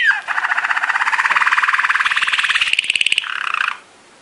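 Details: Belgian Waterslager (Malinois) song canary training song: a fast, bubbly rolling trill between low and high tones, pulsing steadily for over three seconds before switching to a brighter, quicker trill that stops abruptly.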